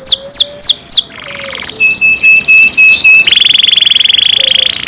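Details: Captive canary singing: several falling whistles, then a buzzy section, a series of steady high tones, and a long rapid rattling trill.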